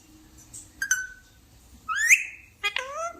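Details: Talking parrot making a few sparse sounds: a short burst, a long gliding rising note, then a descending voice-like phrase, with quiet pauses in between.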